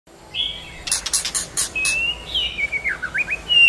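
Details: White-rumped shama song used to provoke and train shamas to sing: a whistled note, a burst of broadband clicks, then long smooth whistles sliding down and up, ending on a high thin note.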